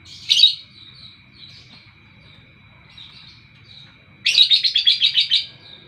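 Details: Morning lovebird chirping: one loud rasping chirp, softer scratchy notes, then a fast pulsing trill of about eight harsh beats lasting over a second, over a faint constant tone.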